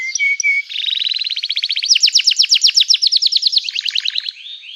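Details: {'text': 'Lively canary song, meant to provoke other canaries to reply. A few short flat chirps, then a quick trill that swells into loud rhythmic sweeping notes about four per second, fading into softer rolls.'}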